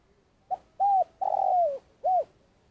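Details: Vietnamese decoy spotted dove used for trapping, calling at length: a brief soft note, then a mellow coo, a drawn-out descending croon and a closing coo, in a quiet setting.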